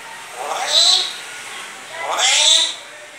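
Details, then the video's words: Grey parrot kept as a pet, vocalizing after its bath. Two separate drawn-out, speech-like utterances about 1.5 seconds apart, each sweeping up into a high, nasal whistled tone, in a quiet indoor setting. "grey parrot after taking bath,saying Laillaha ILLallaha,kia hua,mitthu kon hai,Lohe alle,coughing"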